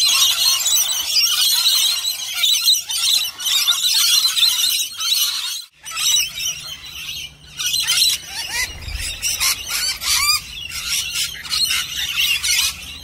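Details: Several lorikeets screeching continuously while eagerly licking a bowl of nectar and honey mix, a dense harsh high-pitched chorus that breaks off briefly midway, then resumes in choppier bursts.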